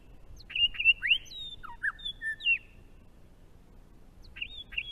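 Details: Grey shrike-thrush singing its complex spring song in Australia, a sequence of ringing whistles, rising and falling slurs and level notes, pausing before the opening whistles start again, over a faint steady hiss.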